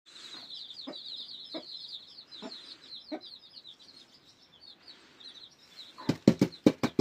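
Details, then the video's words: Newly hatched chicks in Turkey, a flock peeping in continuous high thin notes, with soft thumps and a burst of sharp loud knocks near the end. "koy civcivleri yeni cıkım"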